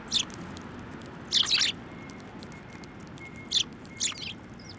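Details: Sparrows gathering on a bench to be fed at a Tenmangu shrine, Japan, 17 December 2023; sharp, high chirps come in brief clusters, some doubled, separated by pauses of one to two seconds, with a faint steady tone behind.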